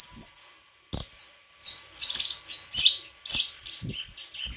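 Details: White-throated flycatcher giving bursts of high, scratchy chirps and quick whistles in short phrases broken by brief silences, with occasional low knocks.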